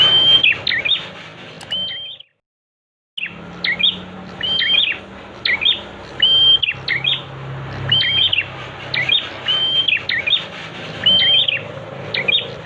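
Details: Prenjak (prinia) song used as a training recording to make captive birds sing: repeated short phrases of sharp whistled notes with a level high whistle and quick chips, with a brief silent gap near the start.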